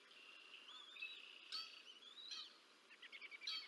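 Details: Bald eagle feeding two chicks on the Decorah North nest, 30 March 2024; a thin, wavering high whistle slides up and down, ending in rapid chittering piped notes.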